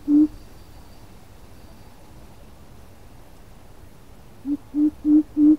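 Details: Coucal call used as a lure for trapping birds: one deep, hollow hoot, a pause, then a steady series of four similar low hoots about three a second, over a constant background hiss.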